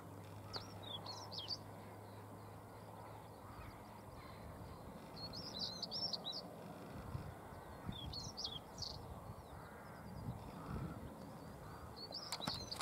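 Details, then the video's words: Stonechat singing at dawn on Cavenham Heath, Suffolk, UK, on 22 March 2015 at 6:22 am. Faint, high, scratchy twittering phrases recur every few seconds over a steady low rumble of distant background noise. "Stonechat singing"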